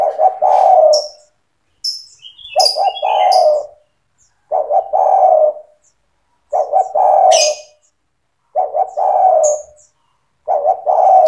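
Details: A lively singing spotted dove, meant for training young doves to sing along: low, husky coo phrases repeated about every two seconds, each opening with quick stuttered notes, while small birds add thin, high chirps in the gaps.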